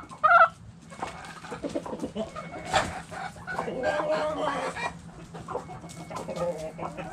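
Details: Backyard coop chickens: a short loud squawk at the start, then quieter overlapping clucks and murmurs with a thin steady tone in the background.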